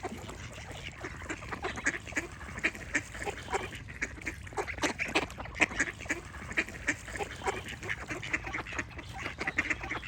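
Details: Loud, crowded duck quacking: many rough nasal calls tumble over one another without pause, some sounding honk-like, above a low rumbling background.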